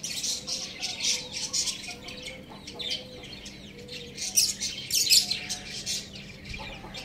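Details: Little roosters out on a rooftop give a steady scatter of thin, high peeps and chirps, uneven and overlapping, while faint lower tones drift underneath.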